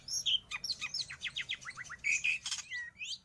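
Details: Long-tailed shrike, a recording meant to train pet birds or lure wild birds: a quieter, varied run of short descending chirps and thin whistles, some clear piping notes, over a faint low hum.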